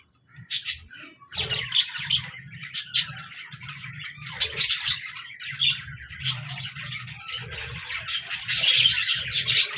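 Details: Budgies recorded on 14 January 2024 chirp and warble in scattered scratchy bursts that build into busier chatter, over a pulsing low hum.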